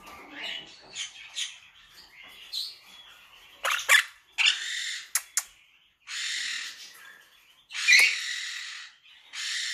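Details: Monk parakeet giving harsh, grating squawks in irregular bursts, some drawn out and screechy, others short and sharp, separated by brief pauses.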